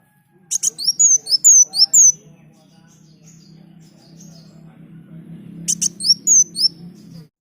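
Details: Sunbird (kolibri daun) song for training other birds: two short bursts of clicks and high descending whistles at the start and end, separated by a long stretch of low background rumble.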